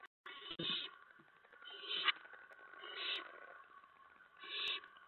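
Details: Owlets at the nest around 2 AM on 10 September 2017 during night food deliveries of mice. A few long, breathy rasping hisses rise and fade over a faint steady background hum.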